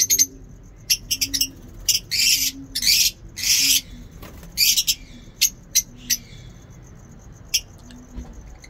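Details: Lovebirds in a home aviary: scattered sharp squeaks and a few longer harsh squawks, then quieter isolated chips, with a soft low hum pulsing in the background.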